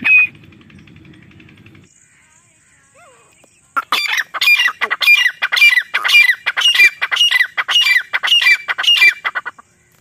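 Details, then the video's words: A female grey partridge calls in the jungle, a voice used as a hunting lure. After a short quiet opening, loud rasping double-noted bursts repeat steadily, roughly once a second, until near the end. "Desi teetar madi ki Shikar wali voice"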